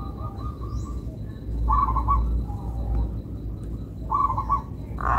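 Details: Local zebra dove with a melodious rhythm: short bursts of quick pulsed cooing notes come in three separate phrases, with a faint high chirp from another bird and low rumbling underneath.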